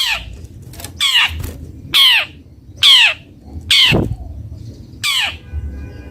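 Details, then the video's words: Long-tailed shrike (cendet bondol) giving loud, grating, downward-sliding squawks, each about half a second long and repeated roughly once a second, over a faint steady low hum. "Suara merdu burung cendet bondol"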